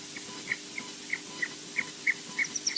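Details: Thin, high Osprey chick begging peeps at Loch Garten, Scotland, repeat about three times a second, with a few sharper squeaks at the end over a faint steady hum.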